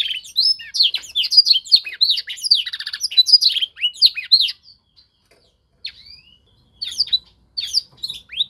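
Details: Young canary during singing training meant to copy a master bird's song: fast, varied high warbling with rolling trills for several seconds, then a short gap and softer scattered notes.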